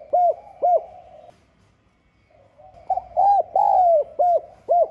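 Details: Spotted dove, 'giọng son' voice, 'gáy gọi - thúc' coo used to provoke rivals: two arched coos, a silent gap, then a full phrase of short coos around one long sliding note, closing with two crisp coos over a faint hum.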